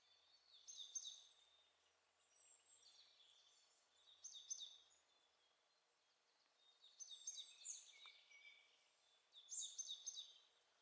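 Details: Eurasian siskins in the top of a pine tree: thin, high twittering and buzzy chatter come in several separate bursts, fading between them, against otherwise quiet surroundings.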